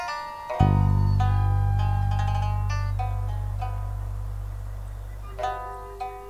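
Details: Plucked string music with bright zither-like notes ringing over a deep, sustained bass tone, with no animal voice heard.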